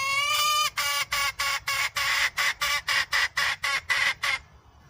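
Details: Red junglefowl hen, wild, gives a long opening note and then a quick run of clipped, reedy cackles, about four each second, before falling quiet at the end.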